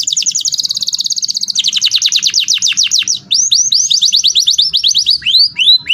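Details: Rolling canary lure song meant for tutoring other canaries: a quick high trill changes into slower, wider slurred notes, then a series of separate descending whistles, each repeated several times.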